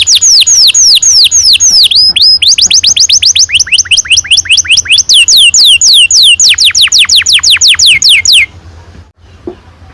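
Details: Canary with a long rolling song, ngerol panjang, played to spur young canaries to sing: repeated downward-sweeping whistles, a few per second, mixed with faster trilled runs, then stopping abruptly into near silence.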